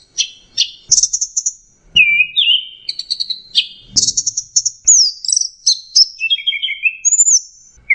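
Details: Orange-headed thrush singing as a lure for stressed, non-singing birds: rapid varied phrases mixing clipped high notes, buzzy trills and smoothly slurred whistles that drop, then climb again, delivered almost without pause.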